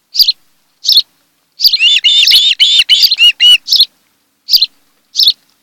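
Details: Osprey pair at their nest on Kent Island, Maryland, filmed by a nest camera on 26 July 2018 in the afternoon: sharp high chirps, then a rapid burst of whistled, slurred notes, then spaced single chirps again.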